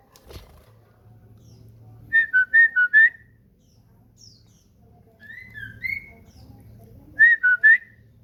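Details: Captive common iora kept as a house bird, singing energetically: quick bursts of four clear whistled notes at a steady pitch, a pause with a few softer slurred whistles, then another four-note burst; faint low hum behind.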